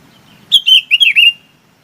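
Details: Loud call of a Chinese babax gathering its flock: five quick, slurred notes, first high and clear, then several lower, rolling notes, all within under a second.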